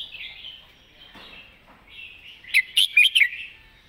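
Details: Red-whiskered bulbul in its distinct master-song phrasing: gentle background warbling, then a bright, energetic phrase of four quick, liquid whistled notes toward the end.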